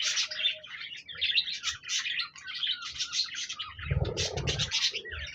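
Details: Parakeet song from 26 January 2024, a continuous bright warble of fast chirps and buzzy squeaks, with a brief low rumbling patch near the end.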